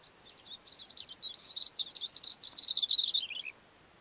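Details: On a mountain slope, a Cape grassbird sings from a rock: soft hesitant notes swelling into a quick, loud series of high twittering elements, trailing off with a slightly falling ending.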